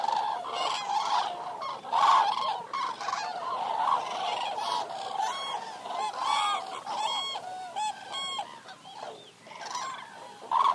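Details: A flock of Eurasian cranes in a dense, ongoing chorus of overlapping trumpeting, honking calls, many voices layered without pause, some louder bugling notes standing out near the start and end.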